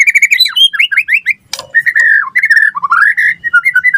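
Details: Loud, varied White-rumped shama song: a burst of quick rising whistles, a harsh rasping note, then slurred warbling phrases and looping notes that rise and fall.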